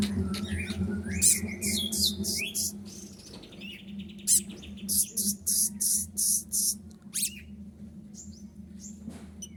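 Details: Sunbird in full song, said to carry mimicked prinia and kapas tembak phrases: fast high chirps, a buzzy trilled phrase, then a string of evenly spaced piercing high notes about every half second, over a constant low hum.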